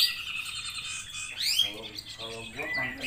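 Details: A grey-cheeked bulbul (cucak jenggot) sings a long, lively run of high chirps and sharp whistled notes, broken by a brief burst of lower, throaty chattering.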